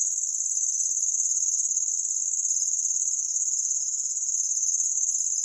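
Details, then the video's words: Imported cici lurik used for tutoring songbirds, giving its cricket-like song: a steady, very high, rapidly pulsing trill that carries on without a break throughout, with only the faintest background ticks. "BURUNG MASTER SUARA JANGKRIK"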